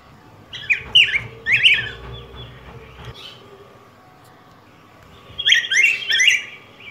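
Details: Warbled, slurred phrases from a yellow grosbeak (Pheucticus chrysopeplus) of Mexico and Guatemala, one short burst early and another after a gap of about three seconds, with a faint steady hum beneath.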